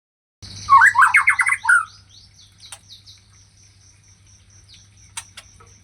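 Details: White-rumped shama singing: a loud burst of quick, varied warbled and chattering notes lasting about a second, then softer scattered chirps and clicks over a steady low hum.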